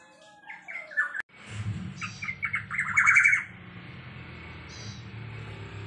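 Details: Blue-winged Leafbird: a quick, varied run of sweet whistles, slurred notes and chattering trills, bright and busy, over a low steady hum.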